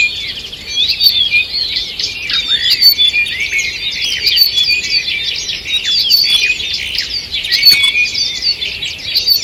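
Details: Forest dawn chorus from 2 June 2023: numerous birds give busy high chirps, rapid trills and slurred whistles without pause, several voices overlapping at once.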